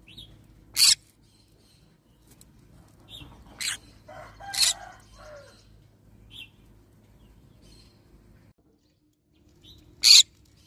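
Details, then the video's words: Yellow-sided green-cheeked conure giving short, harsh screeches at irregular intervals, with long quiet gaps and a faint low hum underneath. "Yellow sided Green cheek conure parrot sound"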